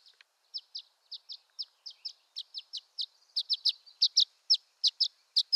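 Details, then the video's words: Violet-green swallow of western North America: a rapid series of short, high chirps repeated about twice a second, growing louder and closer together toward the end, over a quiet background. "Violet-Green Swallow Call"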